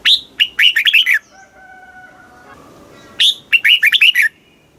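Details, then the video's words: Red-whiskered bulbul, southern master-song style from Thailand, played to excite caged birds and train young ones; two bursts of fast, sharp, warbling notes a couple of seconds apart, faint tonal hum between. "เสียงนกกรงหัวจุก ร้อง ริก เปิดให้นกฟัง ยั่วให้นกคึกจัด"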